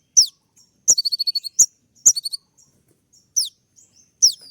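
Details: Olive-backed sunbird in full song with sharp 'shooting' notes, courting a female: thin high downward-sweeping whistles and short stuttering runs of clipped notes, spaced by brief silences.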